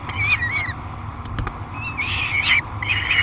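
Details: Peregrine falcon chick screaming at feeding time in the Great Spirit Bluff nest box, July 3, 2021: a few harsh wavering squeals, one brief click, then louder overlapping screeches, low hum throughout.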